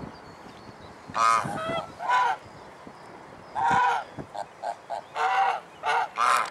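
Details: Domestic swan geese at Alkmaar in Holland honking repeatedly, a mix of drawn-out nasal honks and shorter clipped notes, building into a quicker series toward the end.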